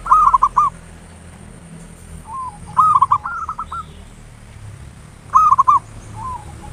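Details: Local zebra dove with ngayer nulop song used as a lure: three loud, bubbling, trilled coo phrases spaced about two and a half seconds apart, softer cooing notes in between, and a faint constant high whine.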